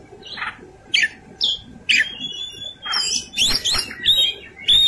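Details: Kacer, the Oriental magpie-robin, in fighting song with rich fill-ins: spaced harsh chattering notes build into a busy stretch of mixed rasps and clear whistled slurs toward the end.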